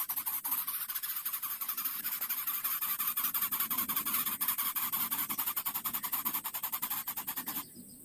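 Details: A hungry baby Greater Coucal, a kept bird, makes a long, even series of quick husky rasping breaths, several per second, stopping abruptly near the end, in a small indoor space.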